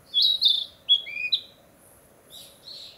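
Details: Narcissus flycatcher, back from the south to breed, singing to declare its territory in spring forest: clear whistled phrases, a couple of bright notes then lower slurred whistles, fainter distant song toward the end.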